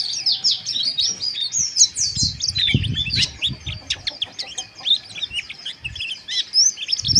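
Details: Harsh, fast white-eye chirping used to stir breeding arousal: dense, high, scratchy slurred notes pour out continuously, over low rustling and soft thumps in the background.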